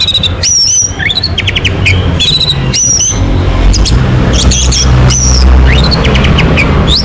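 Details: Orange-headed thrush song used as a lure to get a bird singing: high whistled slurs and quick buzzy rattling bursts in irregular phrases over a constant low rumbling hum.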